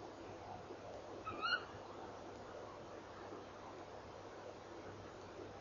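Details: At 04:33 on 3 December 2013, a female tawny owl lingers beside her nest box calling after an hour of eating inside; a short, sharp rising call with bright overtones, low hum beneath.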